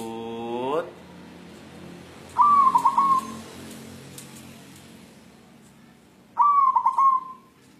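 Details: A white zebra dove of local wild stock, looking for a mate, repeats its soft stuttering coo twice, about four seconds apart. A rising harmonic sound opens the passage, and a faint murmur of background noise runs throughout.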